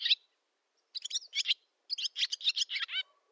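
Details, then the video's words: A barn swallow sings in a Novgorod oblast village, Russia, on 8 August 2013: short bursts of squeaky chattering notes in quick groups, separated by brief silences. "Ласточка-касатка, или деревенская ласточка Hirundo rustica, летняя песня / Barn swallow song"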